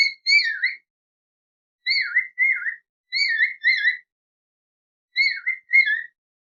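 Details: Talking Raw parrot, an Alexandrine parakeet, making bright, bending whistled chirps that dip in pitch. They come in pairs about every one and a half seconds on a silent background.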